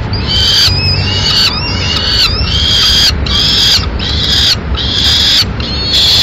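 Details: Peregrine falcon in Madrid at the nest, where the male brings a swift for breakfast and feeds the chicks; harsh, grating cries about a second long, repeated with short breaks over a steady low rumble of wind or traffic.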